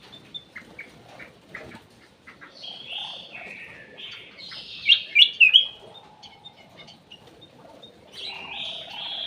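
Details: Bulbul in an aviary, sung as a lure. Bright warbled and whistled phrases, with a loud cluster of sharp notes midway and a rising burst near the end, over faint background murmur.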